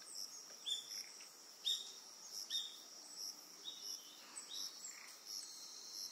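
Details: Eastern yellow wagtail on Amami Oshima, Japan: about five short, thin, high chirped notes, some sliding downward, spaced irregularly about a second apart, over a steady shrill insect chorus.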